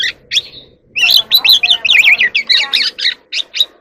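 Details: Oriental magpie-robin singing in the evening: a dense, fast medley of warbled, slurred whistles and chattering notes, with a couple of short whistles before it and after it, over a faint low background hum.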